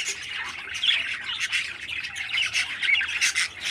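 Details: A healthy 13-day-old parakeet chick kept by a breeder gives dense, grating squawks that run together, with louder surges every half second or so.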